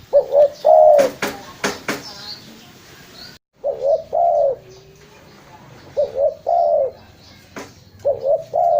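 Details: Spotted dove, presented for luring, cooing in soft hollow phrases: a quick pair of notes then a drawn-out coo, several phrases separated by a brief dropout, with a burst of loud tapping clicks early on.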